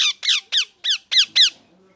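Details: Parrot chirping indoors: six sharp, raspy calls that slide downward in pitch, given at a steady clip of roughly three per second, followed by faint low background murmuring.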